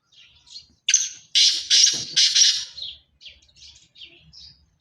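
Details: Sindhi chirki strain black francolin calling: a hoarse first note, then three loud grating buzzy syllables run closely together. Softer chirps from other birds come before and after, with a faint low rumble.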